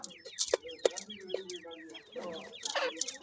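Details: Grey francolin (Teetar) chicks raised in captive housing give rapid runs of short, high, down-slurred peeps. Lower steady tones and loud sharp taps sound beneath them.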